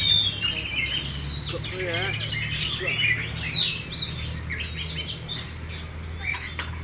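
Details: Caged Oriental magpie-robin, a competition winner displaying with a fully open tail. Its song is a rapid mix of clear whistles, trills and chattering notes, set over a constant low hum and faint voices.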